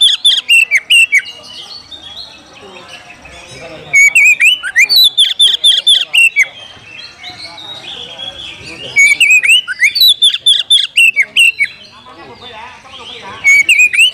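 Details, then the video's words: Oriental magpie-robin's fighting challenge to a rival: repeated bursts of sharp, loud whistles, roughly two notes per second. The bursts alternate with brief quieter spells over about fourteen seconds. "panggilan kacer mencari lawan tarung"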